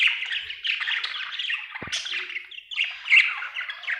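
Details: Budgerigar chirping: continuous rapid chatter of squawky, warbling notes with a brief click near the middle and a louder squeaky burst toward the end.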